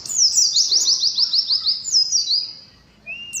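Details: Ngalas song of an Oriental white-eye, competitive: a fast string of about a dozen high downward-sweeping chirps, then a longer slurred note, and a short level whistle at the end.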